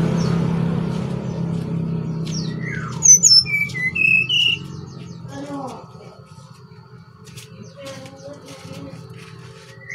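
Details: Bali brown-chested jungle flycatcher. Loud low rumbling noise comes first, then a brief phrase of clear whistled notes that dip and rise, followed by fainter scattered chirps over a background hum.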